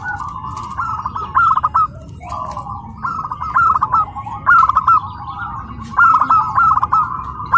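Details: Tame, house-raised local zebra dove at its first training contest in Karawang, cooing in soft, rapid staccato phrases, each ending in a higher purring note, about every one and a half seconds over a quiet background.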